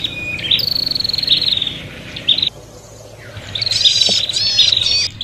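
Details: Prinias calling in an agitated, fighting state, a recording used to lure birds: fast buzzy trills held at a steady high pitch, broken by sharp chirps, a short pause in the middle, then overlapping trills returning.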